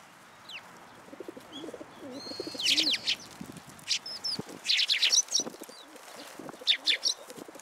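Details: Sparrows coming to a feeding platform for food at a Tenmangu shrine on 14 February 2023: bursts of sharp, high chirps clustered in quick runs, with soft low cooing murmuring underneath throughout.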